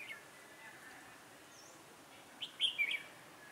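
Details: Decoy red-whiskered bulbul for trapping on a cold, windy 16 December 2017; after a quiet stretch with a faint chirp, a rapid cluster of sharp, sweet warbled notes closes the recording, set against soft background hiss.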